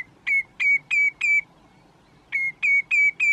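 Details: Common redshank perched on a post, Groninger Landschap, Netherlands, calling its own name: clear, ringing piped whistles, a quick run of four slightly down-slurred notes, a short pause, then four more; quiet background.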